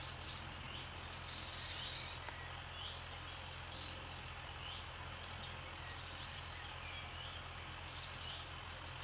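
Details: Several barn swallows sweep through the sky over a farm, giving thin, high twittering chirps in scattered short bursts every second or so, with faint background hum.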